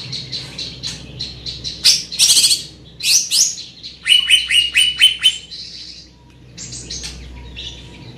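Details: Greater green leafbird with a big body and strong, piercing voice, delivering a varied song of high chirps, buzzy bursts and a run of quick repeated whistles.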